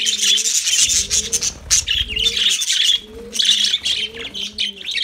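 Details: Lovebirds singing: loud, harsh, high-pitched chattering bursts and squeaks crowding together, while low cooing notes roll in at regular intervals in the background.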